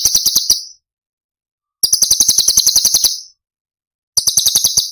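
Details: Cucak cungkok singing tembakan phrases (Cililin), recorded as masteran for training songbirds. Shrill rapid-fire trills alternate with silences of about a second, three bursts in all, clean background.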